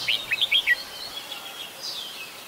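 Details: Adult red-whiskered bulbul singing in Ubon Ratchathani, Thailand, on 16 December 2020: four or five loud, quick, looping whistled notes in the first second, then softer trailing warble and a falling slur, over light hiss.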